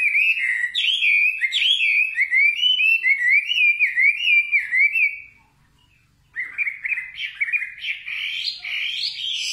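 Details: A singing nightingale pours out wavy, rapidly modulated whistled phrases, falls silent for about a second, then resumes with rising, jerky notes climbing higher.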